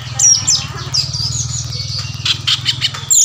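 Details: Oriental magpie-robin in a fighting, answering mood with tail spread, giving high chattering and squeaky notes in bursts, backed by a steady low mechanical hum throughout.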